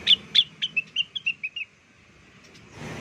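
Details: Blue-winged leafbird lure song, played to draw birds into answering: a quick run of about nine clear whistled notes stepping down from high to mid pitch, loudest at the start, then near silence.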